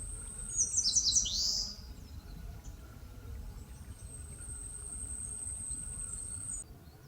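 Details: An eastern crowned warbler sings in a forest on the slopes of Palbongsan in Seosan, Korea. A quick run of high thin notes ends in a buzzy downward slur, followed by a steady high insect-like whine.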